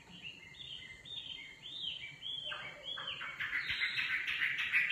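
A nightingale sings a row of slurred, arching whistles about twice a second, then bursts into a rich, rapid churring phrase over faint background noise.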